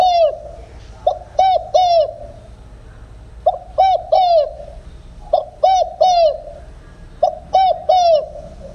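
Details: Spotted dove cooing in the 'đồng không hậu' style, used as a lure for trapping: low mellow three-note coo phrases, each note dipping then rising, repeated four times about every two seconds against a quiet background.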